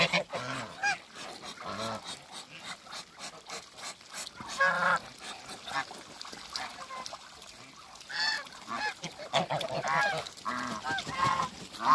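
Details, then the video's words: A mature pair of Toulouse geese, a domestic breed, meeting again after being moved, call with repeated harsh, nasal honks. Calls come in uneven bursts and overlap one another, some clearer and higher, against a rustling farmyard background. "MEETING MATURE COUPLE TOULOUSE GEESE"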